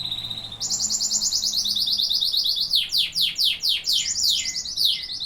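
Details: Singing canaries: a steady trill jumps abruptly to a higher, brighter roll, followed by a series of quick downward-sliding notes about three per second, loud and clear.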